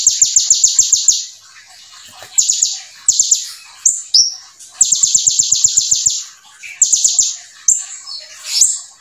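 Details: Brown-throated sunbird (konin) singing rapid-fire 'full nembak' song filled with imitated bar-winged prinia (ciblek) phrases. Several short bursts of quick, high, machine-gun-like repeated notes, broken by gaps holding single sharp chirps and squeaks.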